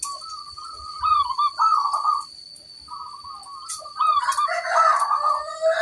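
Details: A local zebra dove sings strongly, valued for its big 'kung' voice: repeated rolling, warbled coos, the last one overlapped by a second, harsher warbling voice, over a thin high hum.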